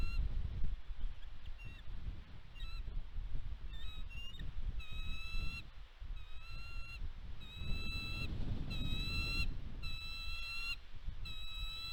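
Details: Bald eagles at the West End nest, Catalina Island, California, USA, on 29 March 2022, filmed by nest cam around fish and bird deliveries. A long run of short, high, squeaky whistled notes steadily repeats against gusty wind.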